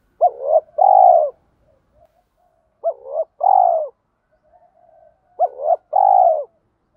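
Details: Spotted dove repeating its coo in the giọng thổ pha đồng style to draw wild doves into answering: three similar low two-part phrases, each a hooked note and a long mellow coo, roughly every two and a half seconds.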